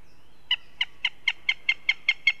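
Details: Northern goshawk in Riga, Latvia, giving a harsh, nasal series of about nine 'kek' notes, evenly spaced roughly four or five a second, over a faint steady background hum.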